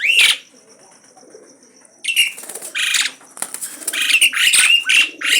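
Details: Energetic Asian pied starling, challenging without pause: loud raspy, screechy notes in rapid succession mixed with wing flapping, after a quiet gap.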